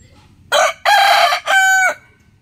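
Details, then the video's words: Rooster calling early in the morning with a clear three-part crow: a short harsh first syllable, a long buzzy middle and a steady drawn-out final note, with little background. "Rooster crowing compilation | Amazing rooster calling early in the morning"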